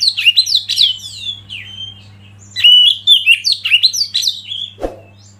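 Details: Oriental magpie-robin, a lead bird used to provoke other birds into singing: rich, varied whistled phrases with sliding, warbling notes in fast bursts, a short pause mid-clip, then another lively run ending in a brief knock.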